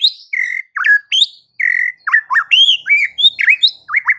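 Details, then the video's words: White-rumped shama (murai batu) singing to provoke rival shamas: a dense string of loud, clear whistles, downslurs and upswept notes with varied phrasing, nearly continuous throughout. "dengan cepat murai batu bakal ngamuk dan narung GACOR setelah dengar kicau murai ini"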